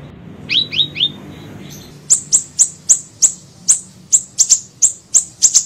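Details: Siri-siri bird used for luring: three falling whistled notes, then a brisk series of very high, sharp chirps, speeding into doubled notes toward the end.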